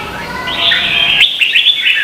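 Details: Contest song of a red-whiskered bulbul from Vietnam, a lure for stimulating caged birds: a quiet lead-in swells into a loud, rolling warble broken by a few quick chirped accents.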